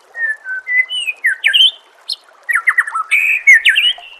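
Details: White-rumped shama song from a masteran compilation used to train songbirds: clear whistled notes, then rapid descending slurs and trilled, buzzy phrases climbing high, in bursts separated by a short pause.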